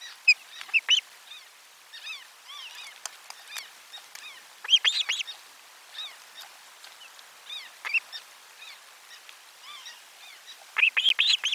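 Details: Osprey nest 4 on 12 July 2022, with a fish brought for lunch. Mostly soft, steady whistled chirping, broken by a few louder clusters of sharp arched notes and a strong burst near the end.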